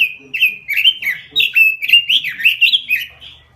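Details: Energetic robin song for luring and as a master for training birds: an even whistle leading into a continuous rapid chain of down-slurred, warbling whistles lasting about three seconds.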